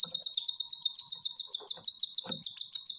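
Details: Cucak kinoy, or grey-cheeked bulbul, in gacor singing for caged-bird training: one steady high trill of about fourteen even notes per second across the whole clip.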